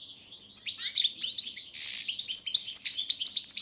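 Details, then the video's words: Soft twittering starts this Balkan-subspecies goldfinch entry in an online goldfinch song world championship, then it breaks into loud tinkling notes, a harsh buzzy burst and quick rising chirps. "Pesma štiglića 004/22 World Championship in Goldfinch Song"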